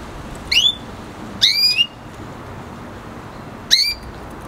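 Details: Siskin and canary F1 hybrid of the red hooded siskin, voicing three bright rising whistles, each sweeping upward then bending into a brief flat tail, spaced one to two seconds apart.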